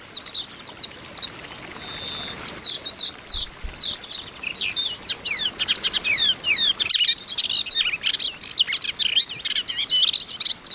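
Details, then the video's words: Many Oriental white-eyes calling together, females calling to rouse males, used as therapy to make birds sing; dense high twittering of steep slurred notes runs throughout, one brief steady whistle near two seconds. "TERAPI PLECI OMBYOKAN BIKIN CEPAT GACOR"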